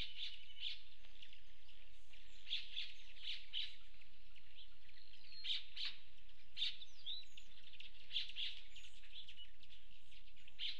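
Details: Two male Lucifer Hummingbirds at a feeder in the mountains outside Fort Davis, West Texas, over 5800 feet elevation, on 3 September 2019, give thin, high chips in rapid, uneven bursts over a low steady rumble of wind.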